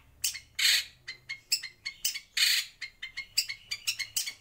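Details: White-rumped shama in a breeding aviary delivering a fast run of sharp, high clicking chips and short bursts, repeated irregularly, over a quiet low hum.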